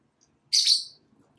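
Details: Pet lovebirds, a Blackmask and a Violet Fischer's, out of their cage for daily playtime on a cat tree by a window; one short, harsh, high chirp lasting about half a second in a quiet room.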